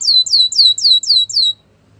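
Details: ['A Russian canary, singing for training, gives six loud, evenly spaced, high downslurred notes in about one and a half seconds, then falls silent over a faint low hum.']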